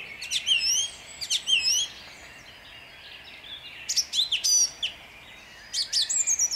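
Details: Song thrush singing at dawn in Jabłonna on 29 April 2021: a bright whistled phrase given twice, then a short pause and more sharp, clipped phrases, each repeated, high and clear over a quiet background.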